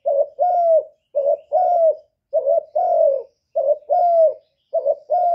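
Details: Spotted dove cooing steadily in a 2023 recording: paired notes, a short burry coo then a longer smooth falling one, repeated about every 1.2 seconds with no other sounds.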